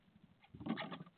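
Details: Common starling chicks in a nest box, at a feeding at 5:55 on 12 May 2022, give a brief burst of harsh, rasping begging calls, about half a second long, with a faint knock just before.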